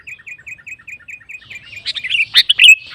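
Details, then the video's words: Sooty-headed bulbul singing energetically to provoke rival males: a run of short, evenly spaced downslurred whistles about five per second, then a denser burst of bright chattering, squeaky notes with sharp clicks. "Suara Burung KUTILANG GACOR Memancing Lawan Kutilang Lain Emosi Ikut Gacor"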